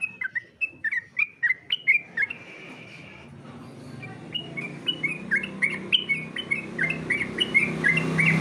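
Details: Sooty-headed bulbul singing for contest training: rapid descending whistled notes, a sustained whistle, then a steady run of short chirped whistles with hiss and low hum behind.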